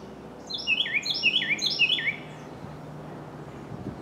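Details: Carolina wren in dense forest near Pigeon Forge, Tennessee; the male calls to announce that he owns a territory. Three loud, rolling, rich phrases repeat rapidly over about one and a half seconds, over a steady low background hum.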